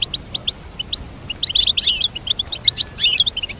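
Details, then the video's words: Goldfinch twittering song starting with spaced single chirps, then breaking into dense, bright, jangling flourishes. "Teach your goldfinch to sing beautiful motivational songs"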